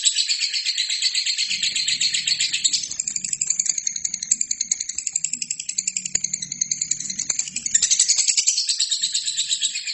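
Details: Lovebird in gacor form, sung as a master recording for training other birds: an unbroken, shrill, rapid rattling trill that runs the whole time, with pulse patterns shifting slightly and a brief louder burst near the end.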